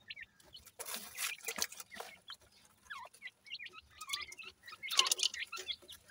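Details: Partridge chicks feeding in the morning give a steady stream of thin, high peeps and short chirps, several overlapping, with soft rustling and scratching noises between them.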